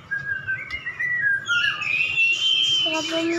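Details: Two caged champion white-rumped shamas brought face to face in a duel: clear whistled phrases with sliding notes, rising into a sustained high whistle with added overtones near the end, quick and irregular.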